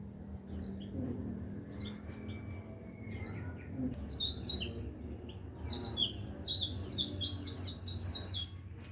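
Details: Tutor song of a white-eye for songbird training: scattered high, thin chirps at first, building into a dense, rapid, high warbling run of bright notes in the final three seconds, with steady low hum beneath.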